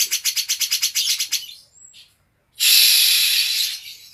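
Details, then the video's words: Green leafbird delivering harsh cucak jenggot-style material: a quick series of about ten rasping notes, a thin high whistle, then a loud sustained hissing screech. "Kolaborasi sangar kicau cucak ijo dan cucak jenggot"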